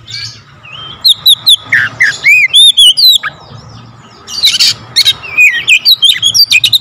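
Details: Magpie-robin in full song, firing notes tightly with varied fills: clear rising and falling whistles, squeaky slurred phrases and rapid chattering runs. Only a brief quieter gap breaks the flow. A soft low rumble sits in the background.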